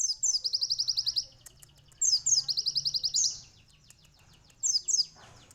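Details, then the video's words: Sunbird song recorded as a tutor for canaries: three high, buzzy trills of quickly repeated notes, each about a second long, separated by short silences, over a faint low hum. "asli suara burung kolibri isian"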